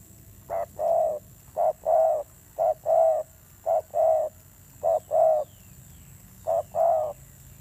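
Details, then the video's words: Fierce-voiced spotted dove, newly wild-caught, cooing in a steady series of paired notes. Each pair is a brief hoot and then a drawn-out mellow coo, with six pairs in quick succession. "Thổ Gù âm dữ"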